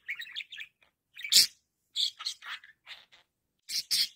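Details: A budgerigar's calling sound: a rapid run of scratchy, buzzy chirps and sharp high squawks.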